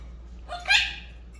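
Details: A talking pet monk (Quaker) parakeet, which repeats Arabic words such as "aysh fi?" ("what's up?"), utters a single quick, raspy word-like sound in a quiet room.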